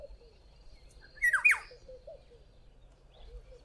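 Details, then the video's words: Black-headed oriole calling from a tree in a garden in South Africa, a loud, liquid call: one short whistled phrase with quick falling slurred notes, over faint low background hum. "BLACK-HEADED ORIOLE calling"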